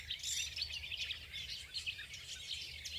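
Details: Garden warbler filmed from a distance, singing a fast, continuous warble of mellow, bubbling notes that runs on without a break, with a low background rumble underneath.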